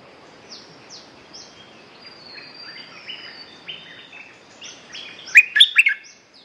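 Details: Red-whiskered bulbul on a decoy recording gives bright, bubbly whistled phrases, several short notes about once a second, ending in a louder burst of chirps; other faint birds behind.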